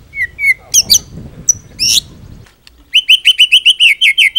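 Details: White-rumped shama singing its full repertoire as a training master: soft whistles and sharp high bursts, then a fast, regular series of about a dozen bright, clipped whistled notes.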